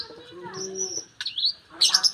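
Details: Oriental magpie-robin, described as a promising prospect among songbird hobbyists, singing: a long, steady, high whistled note, then a quick rising sweep into a wavering whistle, then a brief burst of sharp, bright chirps. Faint low murmuring sounds are heard early on.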